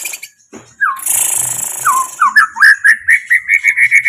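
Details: White-rumped shama song opening with a hiss of background noise, then clear downslurred whistles leading into a rapid series of repeated rising notes, about two per second.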